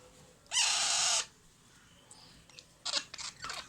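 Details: Hand-fed Alexandrine parakeet chicks at feeding time. One loud, grating, hoarse screech rises at its start and holds for about half a second. A cluster of shorter rasping bursts follows two seconds later.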